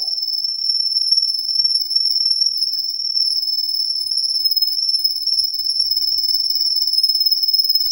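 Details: A Russian canary sings one long, steady, high-pitched rolling trill of rapidly pulsed notes, held at an even pitch without a break, in an otherwise quiet indoor setting.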